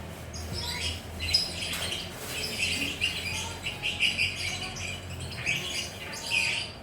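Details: Relaxed perched lovebirds in gacor ngekek chatter, a nonstop stream of shrill squawking notes and raspy twitters rising and falling in short bursts, with a faint low hum beneath.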